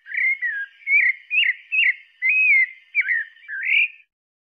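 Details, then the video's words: Pale-breasted thrush singing a clean phrase of seven whistled notes, some slurred downward and others rising, each separated by short gaps, with a silent background. "Sabiá Parda cantando"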